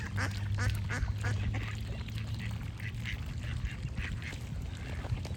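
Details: Duck giving a run of short, nasal, harmonic quacks in the first two seconds, then quieter scattered calls over a steady low rumble like flowing water.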